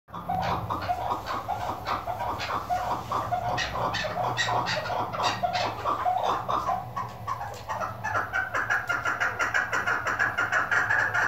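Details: A female chukar partridge used for hunting gives fast, throaty clucking notes, about three per second, in uneven bursts that build toward the end, over a low steady hum.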